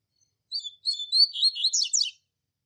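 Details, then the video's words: Double-collared seedeater master bird with the classic Tui Tui Zel Zel song for training young birds: one phrase of under two seconds, opening with clear whistled notes and quickening into rapid, sweeping, buzzy high notes. "Tui Tui Zel Zel Clássico Professor Coleiro Mestre No Treinamento e Top Para Encarte!!!"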